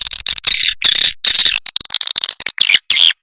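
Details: Swiftlets in a lure recording made to draw them in to roost. Rapid bursts of high, buzzy twittering chirps crowd together with short gaps between them. The chirps are dense and overlapping, with no other sounds.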